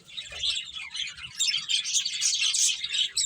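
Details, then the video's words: Finches chirping while playing, a dense overlapping chorus of high, quick tweets and twitters with brief pauses between bursts. "Beautiful Birds Chirping Sounds | Cute Finches Playing"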